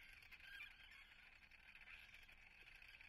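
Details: Common terns nesting at Atlit, Israel, recorded 10 June 2010: a short burst of thick, overlapping squawking calls from a crowded colony, loudest near the start.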